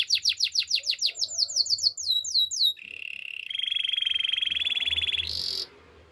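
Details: Canary song meant for training: a run of quick descending chirps, then a long even rattling trill held for nearly three seconds, ending with a brief higher buzzy note.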